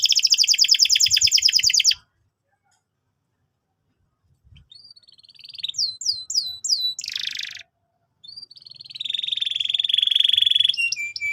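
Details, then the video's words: Canary song played to train young canaries: a rapid buzzy trill, a two-second pause, then sweeping whistled notes, a short harsh burst, and a long sustained rolling trill ending in quick chirps. "PANCINGAN BURUNG KENARI GACOR BUAT PAUD BERMENTAL TINGGI"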